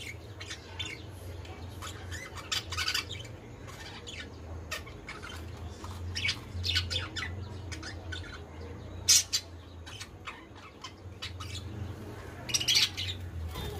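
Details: Young pet budgerigar, scared of and not entering its nest, gives scratchy squawks and quick chirps in irregular bursts over a low steady hum.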